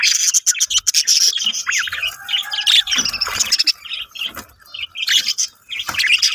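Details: A female budgerigar in the breeding period, laying eggs, gives busy, continuous chatter of rapid high chirps, warbles and scratchy squawks.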